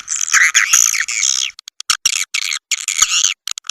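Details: Swiftlet calls used as a lure to draw swiftlets in: bursts of shrill, buzzy twittering, then a run of short separate clicks and chirps before another chattering burst.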